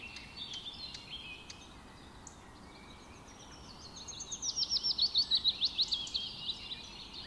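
A Red-bellied Woodpecker gives a quick, even run of about a dozen sharp, high chattering notes, with faint twittering from other birds beforehand.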